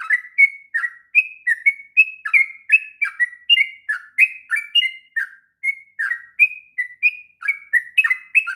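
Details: Extended sooty-headed bulbul song, said to be suited for training young birds: lively sequence of sweet whistles and slurred downward notes, rhythm uneven, roughly two to three notes per second, with a short gap midway.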